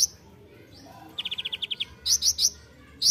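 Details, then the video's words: Van Hasselt's sunbird (kolibri ninja) on a songbird-training master recording: a run of about ten quick, evenly spaced high notes, then three loud, ringing chips and one more at the end. "masteran kolibri ninja (konin) gacor full isian mewah"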